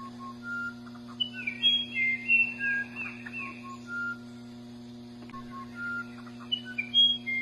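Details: Musician wren (Cyphorhinus arada) sings pure, flute-like whistles at shifting pitches, broken by short gurgling chatters, over a steady low hum.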